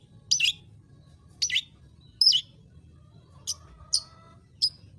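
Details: Long-tailed shrike delivering six short, grating, shrill notes in an uneven series. The first three are louder and broader, the later ones thinner and sharper, with a faint tonal sound briefly in between.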